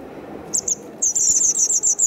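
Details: Two days before fledging, White wagtail chicks in Kumiyama, Kyoto Prefecture, Japan, 3 June 2019, tended and fed by their parents; two brief high squeaks, a pause, then a dense unbroken run of shrill, high-pitched calls.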